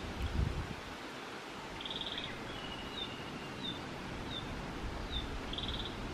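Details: Narcissus flycatcher in Biei, Hokkaido, with a female nearby and perhaps raising young, giving faint, high down-slurred chips and two brief buzzy trills over six seconds, against steady rustling and low background noise.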